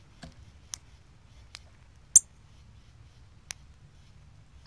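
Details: Two loud, sharp chips from a cardinal on 24 October 2020, mixed with several softer, clipped ticks at uneven intervals against near silence.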